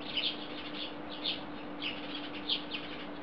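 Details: Chorus of house sparrows on a wire, Belgrade, Serbia, July 2016: fainter scattered chirps at an uneven pace, some clustered in pairs, over background hiss and a steady hum.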